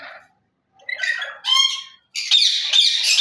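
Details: Lory parrot producing rasping squawks that build into a long, continuous, strident screech, loud and harsh throughout.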